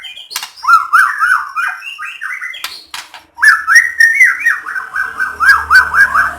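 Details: White-rumped shama song meant to trigger other shamas into singing: two bursts of rapid, rich whistled phrases with zigzagging notes, separated by a short break with sharp clicks, faint low hum at the end.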